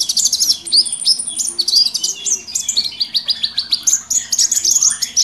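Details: Lure chorus of mixed small wild birds: bright, rapid chirps and short upward-sweeping notes tumble over each other, with a steady thin high whistle running beneath.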